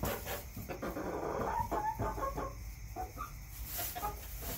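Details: Backyard chickens: dense chattering clucks with a few short, higher whining notes, then sparser soft clucks over low ambient rumble.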